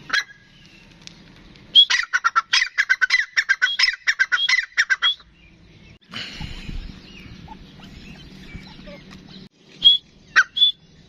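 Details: Full-size grey francolin (Dakhni teetar) kept as a pet bird, giving a rapid run of harsh, clucking notes that drop briefly, then resume. Rustling noise fills the pause, and two sharp squeaks come near the end.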